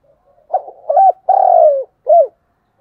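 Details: Continuous 'thúc gù' cooing of a spotted dove: a faltering lead-in, an arched hoot, one long sustained coo falling away, and a brief final hoot, with no other sounds.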